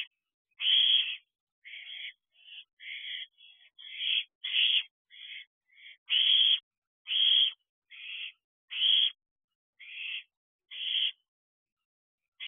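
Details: Young owls on a perch inside an owl box after midnight in June, the brooding season: a series of rasping, hissing screeches of varied length, some clipped and some drawn out, repeated roughly every second.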